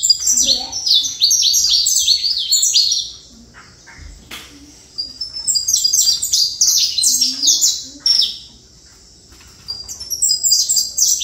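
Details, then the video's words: Saffron finch giving three long phrases of fast, high, falling chirps separated by quiet gaps, with a few soft lower notes in between. "Canário da Terra"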